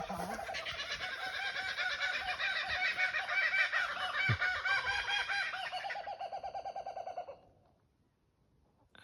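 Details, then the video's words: Kookaburra laughter: a loud, raucous run of rapid chuckling hoots that builds into cackling, keeps going for about seven seconds, then stops abruptly. "Sounds of kookaburra"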